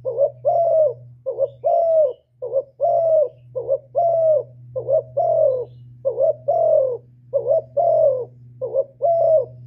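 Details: Full hạp bổi song of a spotted dove with calling, urging and cooing: regular paired coos, a brief wavering note and a longer descending hoot, repeated about once a second over a constant low hum.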